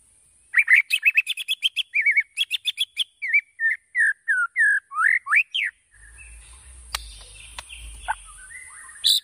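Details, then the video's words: White-rumped shama song used as a lure to make other shamas sing and respond quickly: a rapid run of varied loud whistled and chirped notes, rising and falling phrases for about five seconds, then a quiet low rumble with faint clicks. "PANCINGAN MURAI BATU AGAR BUNYI CEPAT RESPON"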